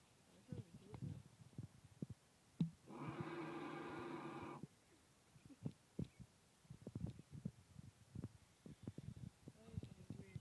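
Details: An Australian bustard's mating call: one deep, droning roar lasting nearly two seconds, with soft low thuds and breathy noises before and after.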